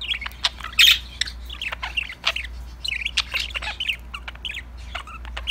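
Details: Pet budgerigars chirping and chattering together while playing, a dense run of short warbled notes and sharp squawky chirps overlapping one another, with a steady low hum underneath.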